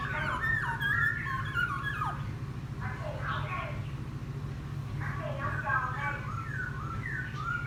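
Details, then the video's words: Wild-caught laughingthrush sings chatty phrases after a bath, bursts of mixed whistles and short trills separated by brief pauses, with a steady low droning hum throughout. "Khướu bổi hót gió ( chuyện kích bổi hót cực sung"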